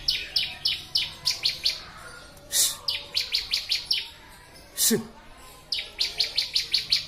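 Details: Ciblek song in a recording for training birds: groups of quick high chirps broken by two loud broadband bursts, then a final rapid, even series of sharp notes.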